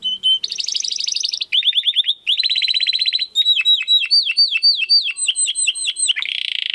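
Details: Competition-training song of a domestic canary: rapid buzzy trills in several tours, followed by a series of sharp descending whistled notes repeated quickly, closing with a rolling trill.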